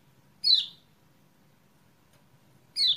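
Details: Kecial kuning chirps played to coax a silent bird into song: one sharp, high, descending chirp, a long pause, then a second chirp starting, with soft low rumble underneath.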